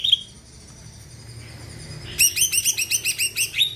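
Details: Greater green leafbird song used to get other birds singing: one short whistle, a quiet stretch with low hum, then a rapid series of bright repeated chirps.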